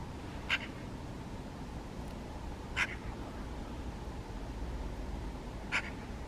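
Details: Eurasian magpie eating rowanberries and calling toward the person filming: three short, harsh, clipped notes spaced roughly two to three seconds apart over a low steady hum.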